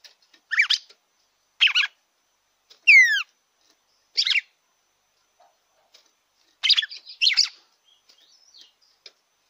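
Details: Red-cowled cardinal song used to excite a captive bird: short rich warbled bursts every second or so, one clear descending slurred whistle repeated in a quick series, then a pair of phrases after a pause.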